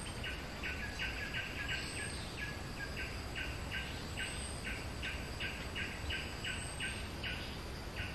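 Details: A bulbul delivers a long, steady series of short, identical notes, close to three per second, over a constant background hiss and a low rumble.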